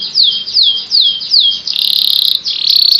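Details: Vigorous canary song: clear whistled notes sweeping down, repeated about every third of a second, then dense, buzzy, rapid trills held high and steady to the end.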